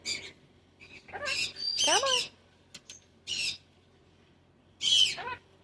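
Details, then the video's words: Pet cockatoo being coaxed to step up by its owner, giving a series of loud, rasping, broadband screeches and chattering bursts, the longest wavering and sliding downward, separated by short pauses. "Chatting with Hero the cockatoo"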